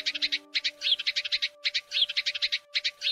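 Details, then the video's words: Sparrow chirping used as a trapping lure for Lunar New Year. Sharp high chirps fall in tight rapid groups separated by brief gaps, with held music tones underneath. "Tiếng Chim Sẻ ĐÁNH TẾT Cực Tốt - Tiếng Sẻ Bẫy Chim Vụ Tết Nhâm Dần 20222"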